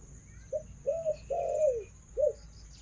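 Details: Captive female Spotted Dove used as a decoy, cooing in a four-part phrase: short note, arched coo, long descending coo, and a brief final note, against a quiet hum.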